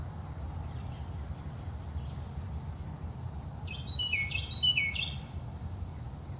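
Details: A Carolina wren sings in the early morning, a short, loud burst of three quick, rolling, ringing phrases over a steady high insect drone and a low rumbling background.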